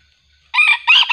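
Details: Junglefowl crowing while wild junglefowl are being lured. After half a second of quiet comes a loud, harsh, raspy crow in two bursts; the second rises again and is cut off at the end.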